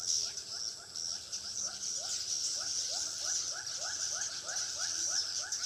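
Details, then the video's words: Chirping swiftlet calls for drawing swiftlets to a bird house in Pekanbaru. Rapid upswept notes repeat steadily throughout, layered over a dense, hissing, high twitter. "suara asli walet"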